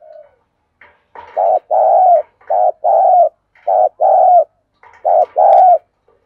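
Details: Decoy spotted dove calling in the Vietnamese thúc style to draw a response. It gives deep, mellow two-part coos, a clipped note before a drawn-out one, repeated four times with faint soft notes between.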